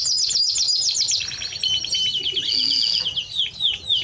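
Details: A Timbrado Español canary delivers a continuous high song of quick repeated sweeps, a drawn-out clear whistle in the middle and dense trills to the end.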